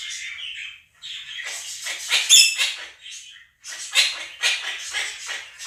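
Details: Two domestic Quaker parrots screaming while budgie recordings play. Irregular raspy squawk bursts come in clusters separated by short pauses, with some louder, sharper shrieks among them.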